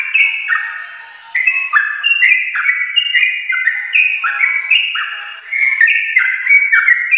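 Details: Yellow-vented bulbul from a winning bloodline, a household pet, delivering an extended rapid 'gacor ropel' song for prompting other pet birds: chains of bright, fluty notes that rise and drop in stair-step phrases, nearly unbroken for seven seconds.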